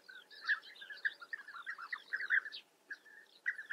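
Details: Several European bee-eaters calling at their colony in the Eifel, Germany; loud rolling, purring notes come in quick bursts, mixed with short downslurred higher notes, pausing briefly near the end before resuming.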